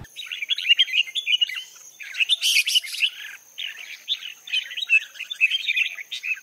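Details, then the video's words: Female red-whiskered bulbul calling to stimulate males to sing: dense run of bright chirpy, warbled notes, with a louder burst of mixed harsh chatter in the middle, over a quiet background. "Chào Mào Mái Kích Trống"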